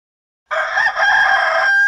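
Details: A chicken crowing: after half a second of silence, one loud, hoarse, harsh crow starts abruptly and holds steady for about 1.4 seconds, with no other sounds.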